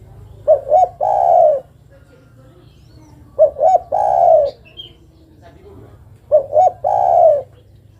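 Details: Female spotted dove calling to the male: three calls about three seconds apart, each two short rising hooted notes followed by a long, drawn-out falling coo, over a low steady hum.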